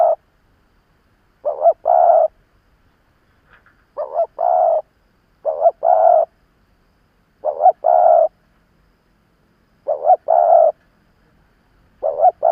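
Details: Experienced decoy spotted dove cooing to provoke wild rivals, with unhurried phrases roughly every two seconds. Each phrase has a quick wavering note then a fuller, sustained low coo, against a quiet background.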